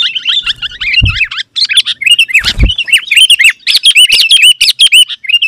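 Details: Sooty-headed bulbul singing vigorously to draw in wild birds: a continuous flowing warble of slurred, bouncing high notes, dense and varied throughout, broken by two short low thuds.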